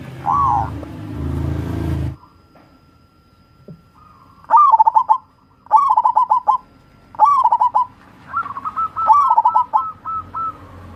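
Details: Local wild zebra dove of the crossing type, played to prompt lazy birds into singing: several cooing phrases, each a rising note followed by a quick rolling run of short coos, with a short burst of noise at the start.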